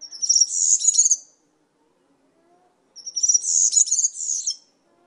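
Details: European serin song in two compact bursts, each about a second and a half long, with a pause of roughly two seconds between them. Every burst is a rapid, high, glassy twitter with a buzzy edge.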